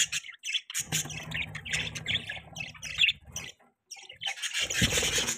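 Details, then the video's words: Budgerigars, including a young one, chirping: busy chatter of scratchy squawks and warbles in irregular bursts with short silent gaps. "Budgies chirping sound|Budgie bird sounds"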